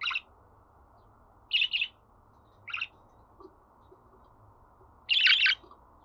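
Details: Budgerigar sounds meant to get a pet bird singing: four brief chirping bursts with long quiet gaps, the last a longer dense chattering burst, steady low hum beneath.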